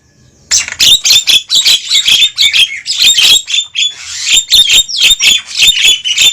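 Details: Javan myna calls used as a lure to draw wild birds toward a trap: a dense, noisy chorus of harsh squawks and clicks with whistled notes, rapid and overlapping, beginning after a brief silence.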